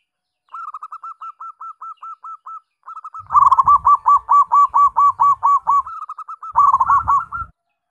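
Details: Zebra dove with yellow eyelids, of the Rondosemoyo line, singing long runs of quick, even, hooked cooing notes, about ten in each burst. The runs grow louder and come with soft low thumps.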